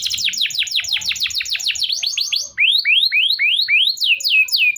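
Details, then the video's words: Canary song used as a lure for young canaries learning to sing and as therapy for birds that stopped singing: a fast run of downslurred chirps, about three to four per second, then a slower series of sweeping, rising notes, "cuit cuit". "kenari gacor panjang Cuit Cuit EMOSI, Pancingan Kenari Paud Belajar Bunyi, terapi AMPUH Kenari MACET"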